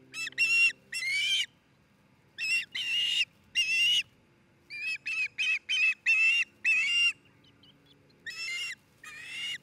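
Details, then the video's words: Osprey calling at a nest in Charlo, Montana, June 2018: bursts of high, squealing whistles, some longer and some quick in succession, separated by short pauses, with a faint low hum beneath. "Osprey Nest - Charlo Montana Cam"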